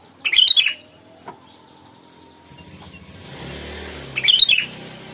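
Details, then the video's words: Sooty-headed bulbul lure song, loud and clear, meant to make other bulbuls answer: two short bubbly, liquid phrases about four seconds apart, with a faint tone and rising hiss of passing traffic between them. "Pancingan Suara Burung Kutilang, Keras, Lantang, Jernih!!!"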